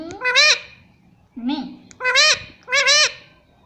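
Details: Indian ringneck parakeet, a pet talking bird, speaking in short harmonic-rich phrases: three loud rising-falling syllables and one brief lower note across under four seconds, indoors with no other sounds.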